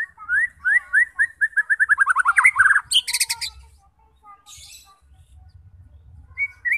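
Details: White-rumped shama song for goading fighter birds into song: a run of rising whistled notes repeated faster and faster into a tight roll, then a harsh high buzz, scattered faint notes and a final short whistle.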